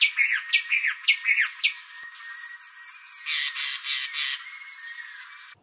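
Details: Southern Black Tit in southern Africa giving a series of short, harsh, buzzy notes, first in a quick run of rising chirps, then a rapid chattering string of high, rasping notes.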